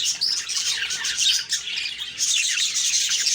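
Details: Budgie chirping on a morning of October 2, 2023: rapid, high squeaky chatter from several birds, a short quieter moment midway, then the twittering resumes at full strength.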